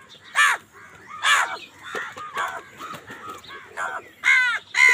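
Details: Crows calling loudly while fighting over food: harsh, ragged caws in short bursts, two strong ones early, a run of softer clipped caws in the middle, and two loud caws near the end.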